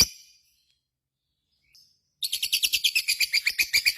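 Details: Lovebird voicing 'ngekek koekk': one brief shrill note and a faint chirp, then after a pause a rapid buzzy rattle of repeated notes starts and runs to the end.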